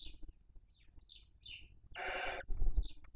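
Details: Barn owl female at the nest in Cabañeros National Park, feeding on a dead chick's body. A series of short high squeaky chirps is followed by one loud, noisy, half-second hiss, then another chirp and thumping sounds.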